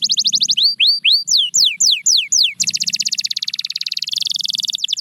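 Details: Canary singing meant to motivate quiet birds to sing again: falling whistles give way to slower, longer downward slides, then a rapid, dense rolling trill. A faint low hum sits underneath.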